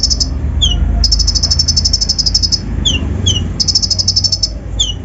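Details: Brown-throated sunbird (kolibri ninja), untrained, singing a rough mimicry-filled lure to excite other birds; dense high rattling trills interrupted by paired falling whistles, with steady low background rumble.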